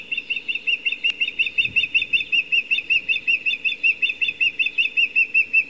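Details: Female osprey at a nest camera on 26 July 2017 near 19:00, loudly begging for an evening fish: a long, steady series of sharp whistled notes, about four to five per second, evenly paced, over a low background hiss.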